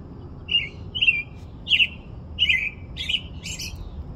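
A robin gives six short, sharp chirps in quick succession, each a bright mid-high note a little over half a second apart, over a faint low background rumble.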